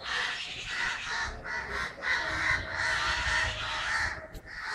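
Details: Crows in Kerala, recorded on 9 December 2012, fill the air with overlapping hoarse caws in loose bursts, the chorus dipping briefly near the end before resuming.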